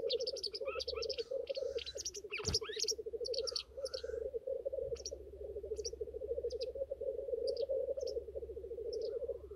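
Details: Lekking male black grouse bubble in a low continuous chorus while sharp, high chirps of other birds and occasional hissing notes sound over it.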